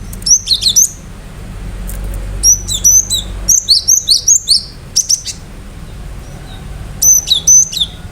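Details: Cinereous tit singing fully with sharp shooting notes: rapid runs of high, piercing two-part whistles, each dropping to a lower tone, repeated densely in phrases of several notes with brief pauses between.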